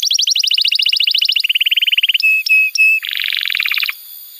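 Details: Canary singing for young birds to learn from: quick bright pulsed trills dropping in pitch, three long flat whistles, then a harsh buzzy rattle before fading.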